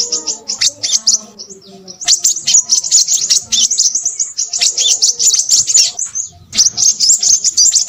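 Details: A Crimson sunbird sings busily. A short opening burst and a quiet pause give way to sustained, piercing, high-pitched twitters and sputtering trills, broken by one short break near six and a half seconds.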